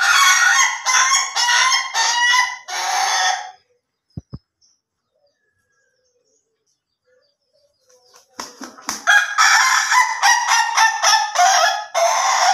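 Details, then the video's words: Ayam Ketawa laughing chicken, crow in the slow or durasi style. About five rhythmic, harsh cackling pulses sound like laughter, then a long silence with two knocks, then a longer series of around ten quick laughing bursts. "AYAM KETAWA SLOW VS AYAM KETAWA DURASI"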